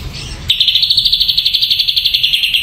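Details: Ashy drongo giving a fast, even trill of clear, high notes, about thirteen pulses per second, held steady for two seconds after a brief noisy start.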